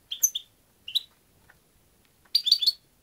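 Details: European goldfinch: two separate high chirps, a faint short note, then a fast burst of tinkling twittered notes near the end, over a quiet background.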